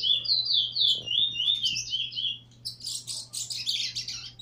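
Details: Trini bullfinch (chestnut-bellied seed finch) from Trinidad, 2018 competition pitting a brown nurser against a teacher: clear whistled notes sliding up and down in a smooth series, then a burst of fast, scratchy high chatter.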